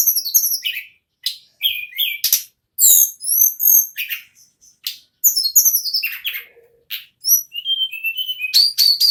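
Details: An ashy tailorbird sings non-stop in the ngerol style, pouring out high, thin whistles, downslurred chips and rough buzzy notes almost without pause, ending in strings of sharp, sweet whistled phrases.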